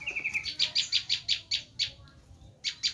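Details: Bar-winged prinia screaming to lure wild prinias: a thin rising trill opens, then a string of harsh, spaced chips slows down before two final notes.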